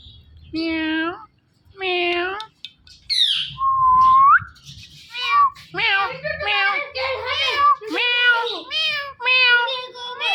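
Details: Hand-tame parrot gives two meow-like calls, one clear rising whistle, then a long fast series of chattering, nasal, speech-like syllables indoors.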